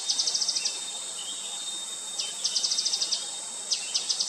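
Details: Grey-headed canary-flycatcher calling with fast high trilled series of clipped notes, broken by thin downward slurs, over a continuous high insect whine.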